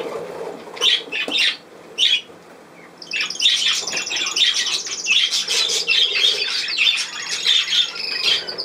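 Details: Budgerigar chatter that opens with a few separate sharp chirps and short pauses, then breaks into a steady rapid warble of rasping trills and high tweets.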